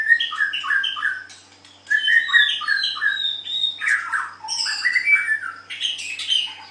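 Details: White-rumped shama pitted in a singing contest, delivering rapid runs of rich warbled and whistled phrases, repeated in quick series, a short pause, then more varied rising and falling notes mixed with sharp chips.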